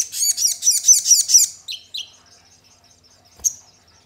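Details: Crested jay lure recording, meant to provoke a kept bird into calling and becoming agitated: a quick run of about eight sharp, high chattering notes, then two lower slurred notes and a lone later chip.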